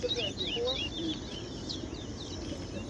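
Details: Towa towa (chestnut-bellied seed finch) in a 2021 bird race singing competition in Guyana between two birds. Sharp downslurred chirps and whistles come in a quick burst over the first second, then softer scattered chirps over background noise.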